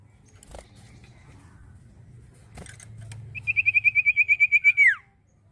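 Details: Common iora singing: after a few faint knocks, a quick run of about thirteen clear whistled notes at one steady pitch, closing with a sharply falling slur.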